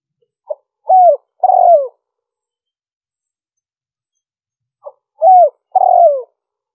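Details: Spotted dove lure call, played to attract wild doves: a soft short note, then two low cooing phrases that bend downward, the three-part phrase given twice about four and a half seconds apart in silence.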